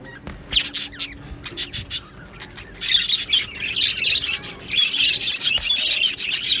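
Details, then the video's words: Budgerigars in a colony chirping, described as happy budgies; bursts of high, scratchy chatter and short squawks in clusters, pausing briefly, then a denser run of overlapping warbles toward the end. "Budgie Sounds for lonely Budgies | Happy Budgies Birds Sounds | birds Chirping Sounds"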